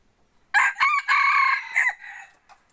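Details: Decoy rooster selected for hunting trips into the forest, giving one loud crow about one and a half seconds long, harsh and ringing, split into short opening notes, a sustained middle and a falling end, then a faint echoing note.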